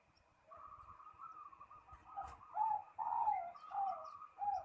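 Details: Zebra dove, the perkutut, calling a rival: soft, mellow cooing notes that rise and fall, strung into an uneven phrase that grows louder toward the end, with quiet background hiss.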